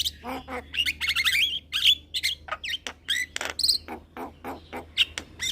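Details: Head-bobbing young Javan myna in lively song: fast, varied chatter of rasping notes, short trills and clear whistles running almost without break, with a faint low hum beneath.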